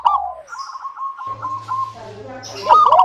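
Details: Zebra dove of a local strain singing to prompt other doves: a falling coo, then a long level bubbling trill, with a steady low hum underneath and a louder burst of notes at the end.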